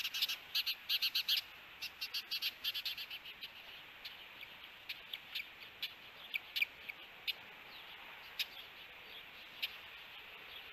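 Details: Ospreys at their nest in Hellgate Canyon, Missoula, Montana, on June 21, 2022, during an encounter between the pair; bursts of short, high, sharp chirps come in quick runs early on, then scattered single notes over a steady hiss.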